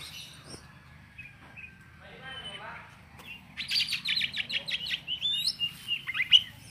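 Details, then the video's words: Oriental magpie-robin (kacer) singing energetically: after a quiet start with faint chirps, a rapid series of short repeated notes begins midway, then sliding whistles and a bright final note. "KACER GACOR"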